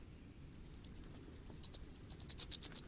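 A common firecrest gives a very high, thin run of about twenty quick notes that speed up and grow louder over two and a half seconds.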